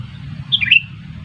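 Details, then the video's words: Sooty-headed bulbul trapping lure call, one short liquid phrase of three or four tumbling whistled notes, falling then steadying, against a quiet low rumble. "Pikat kutilang jitu _ pikat burung kutilang seru"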